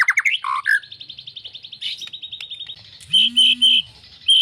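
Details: White-rumped shama singing a varied phrase: descending slurred whistles, then a fast even rattle of high notes, ending with several loud clipped high whistles and a faint steady low hum.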